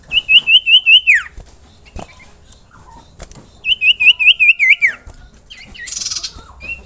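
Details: Common iora used as a lure for other ioras: two bursts of about seven quick, evenly spaced rippling whistled notes, each burst ending in a falling slur, with a brief buzzy note after.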